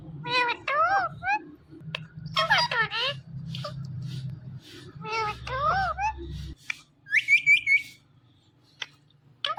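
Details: Talking Indian ringneck parakeet repeating its own name in clusters of sharp, wavering speech-like syllables, ending in a quick high whistled trill, over a low droning background hum.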